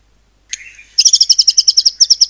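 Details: Caged white-rumped shama from Cililin, Indonesia, 'nembak cungkok' style used to provoke other birds: a brief sharp note and soft low whistle, then a fast steady rattle of loud high chips, about thirteen in a second.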